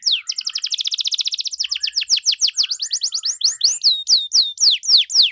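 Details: Canary in full, ornate 'cengkok mewah' song, meant to provoke other canaries into answering: a fast, even trill of rapid high notes, then a string of loud, sharply falling whistled sweeps repeated about four per second.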